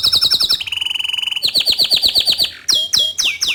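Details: Tutor song for young and untrained canaries by a bottle-green canary: rhythmic chirps, a fast even trill, a series of strong downslurred notes, then a few high sweeping whistles.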